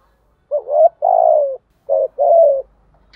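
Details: Spotted dove cooing in the 'thúc gù' style with a 'giọng thổ' voice: two low, mellow phrases, each a short wavering rising note followed by a longer, steady coo that falls slightly at the end, separated by a brief pause.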